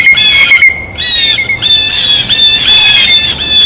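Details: Blue jays at a feeder while eating: rasping, nasal squawks repeated in rapid overlapping bursts, with a faint steady high-pitched tone in the background.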